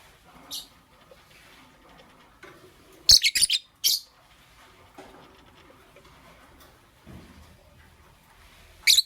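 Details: Caged lovebirds, a green Fischer's and a pastel blue, chirping in the morning: a cluster of loud, harsh, high chirps in quick succession, then isolated sharp chirps at start and end, with quiet scuffling between.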